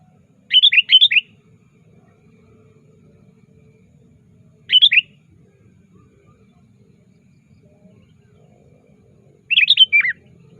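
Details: Sooty-headed bulbul calling actively to a rival, a recording meant as a trapping lure: three short bubbly phrases of quick rising and falling chirps, spaced about four seconds apart, over a faint low hum.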